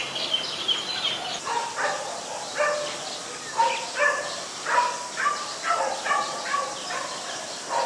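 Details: Busy stretch of White-vented myna calling from Ubon Ratchathani, Thailand, 14 December 2020: a rapid, irregular run of harsh, nasal notes and squeaky chatter, roughly half a second apart.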